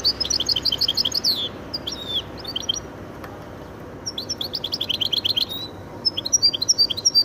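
A goldfinch–canary hybrid sings high, fast tinkling trills and twittering phrases in bursts, with brief pauses between runs; faint background hiss.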